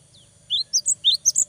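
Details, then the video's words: Cinereous tit singing to stir up rivals and stimulate young birds' daily singing. After a faint opening note, six crisp, high whistled notes follow rapidly, switching between a lower slurred note and a sharper higher one. "GELATIK BATU GACOR BIKIN LAWAN EMOSI !!! LANGSUNG NYAUT !!"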